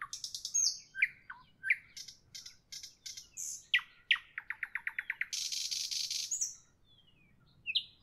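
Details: A nightingale sings in the evening, mixing sharp clicks, rising whistles and a fast rattling series, then a long loud buzzing trill and a last whistled note, over faint low background noise.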